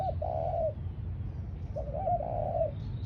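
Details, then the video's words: Ground decoy spotted dove giving two complete cooing phrases. Each opens with a brief rising note and ends in a drawn-out hollow warbled coo, with steady low rumbling behind. "Cu gáy mồi đất"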